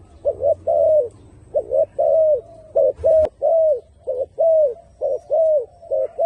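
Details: Turtle dove cooing in paired notes, a short hoot followed by a longer, slightly falling coo, repeated roughly every second at a low, mellow pitch with a quiet background.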